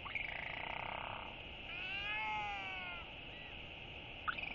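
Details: A maturing northern royal albatross chick greets arriving parents one morning with a drawn-out, harmonic skycall that rises then falls over about a second, above a steady hiss of wind and surf.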